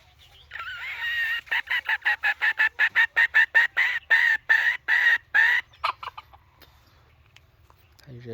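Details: Red junglefowl decoy bird used to lure wild junglefowl. It gives a short drawn note, then a fast run of harsh clucking pulses, about twenty in four seconds, before falling quiet.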